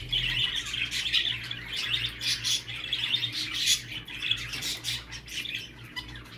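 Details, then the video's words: Budgerigar chatter meant to encourage a male to breed: rapid, continuous warbled twittering with quick chirps and harsh squeaks. A constant low electrical-like hum runs underneath. "صوت تحفيز ذكر البادجي للتزاوج"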